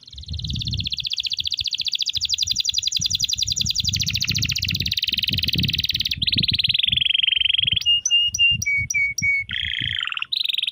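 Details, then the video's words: A canary sings a long, rapid rolling trill, then shifts to bright repeated whistled notes and short chirps, with a faint low rumble underneath. "CANARY SINGING"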